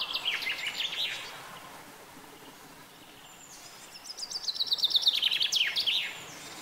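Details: Common chaffinch: the end of one song, a quiet gap, then a full phrase. Bright repeated notes tumble downward in a quickening series and finish with a short, buzzy flourish.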